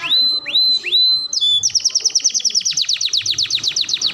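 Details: Canary song recorded as tutoring material for young canaries: three rising whistled notes, then a rapid rolling trill of sharp sweeping notes repeated over two times a second, over low background noise.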